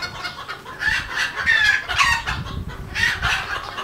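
A red junglefowl gives a run of short, throaty clucks in uneven bursts about every half second, over a light background hiss.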